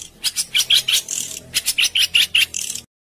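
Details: Harsh besetan-style songbird phrase for tutoring caged and contest birds: about a dozen rough, buzzy, scratchy notes in an uneven sequence, over a faint low hum.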